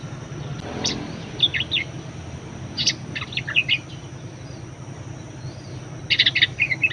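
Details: Budgerigar singing actively, a recording offered as a lure and master song for training other birds; short bright chirps in three bursts, a lone note early, then a rapid chattering cluster near the end over low steady hum.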